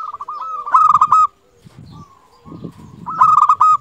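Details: Singing local zebra dove: two short bursts of trilled, ringing coos separated by a soft lull, with low muffled thumping and rustling underneath.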